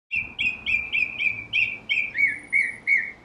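A Northern Cardinal sings a fast run of clear, slurred whistles, about three per second, shifting to lower, down-slurred notes near the end.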